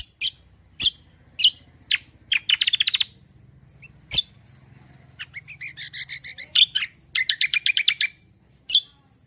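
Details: Javan grey-throated white-eye singing a prolific 'roll tembak' style song used to lure and train other birds: sharp high chirps, then fast trilled rattling bursts, with a soft low hum throughout.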